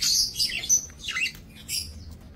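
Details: Budgerigars in a small breeding aviary, 28 November 2024: a brief run of bright high chirps and a whistled note, followed by quieter scratchy chatter and a final high chirp.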